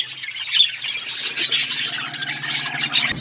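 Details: Flock of budgies eating food, steady high twittering and squawking from many birds at once over a faint low hum.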